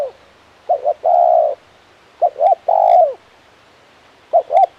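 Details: Spotted dove, a luring tekukur, giving repeated low cooing phrases of two short notes and a long rounded coo, three phrases with short silent gaps.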